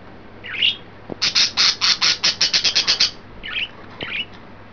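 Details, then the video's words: Three excited pet budgies, green, yellow and white, 29 May 2012: one warbled chirp, then a rapid run of about eleven harsh, buzzy squawks in two seconds, followed by two softer chirps. "excited and playful budgies"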